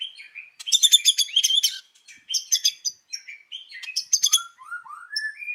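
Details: Morning white-rumped shama song used to draw other birds into singing: bursts of shrill, scratchy high notes alternate with clear whistles, ending in a string of descending slurred whistles.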